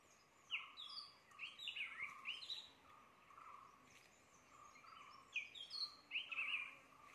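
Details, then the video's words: Bird at Chorla Ghat, Goa: bright chirping calls in quick bursts, sliding and warbling high, with a steady low buzzing drone beneath and faint background noise. "Identify Bird Calls"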